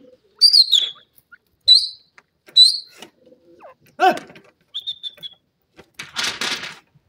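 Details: Grey francolin, known locally as grey teetar, giving three loud, shrill whistled notes that slide downward, about one second apart, followed by a lower descending note, a short level whistle and a burst of harsh noise.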